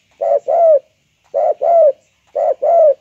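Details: Highly vocal spotted dove of the banggo, selendang jati type, giving three evenly spaced coo phrases. Each phrase is a clipped first note and then a drawn-out, slightly descending hollow coo, with clean silence between.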